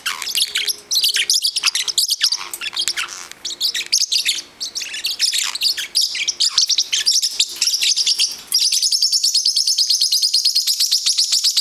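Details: Young pet parrotlet, nine weeks old, chasing down another bird indoors in a fit of play: loud, continuous high chirping and squeaky chatter, ending in a fast, steady run of piercing repeated chips.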